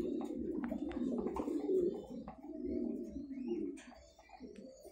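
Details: Domestic pigeons kept for breeding on a Thai-breed pigeon farm give low, rolling coos that overlap in a dense indoor chorus. Scattered clicks and knocks sound through it, and the chorus fades somewhat near the end.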